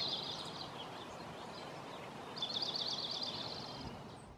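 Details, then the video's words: Oregon junco, a western North American form of dark-eyed junco, singing a rapid high trill; one trill at the start, a second, louder one from about two and a half to nearly four seconds, over steady wind-like background noise. "Dark-eyed Junco Singing (Oregon Junco)"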